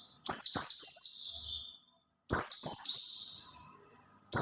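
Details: White-eye song used to draw in other white-eyes: two high, bright twittering phrases about two seconds apart, each beginning with sharp ticks and fading into a descending warble, with silence between them.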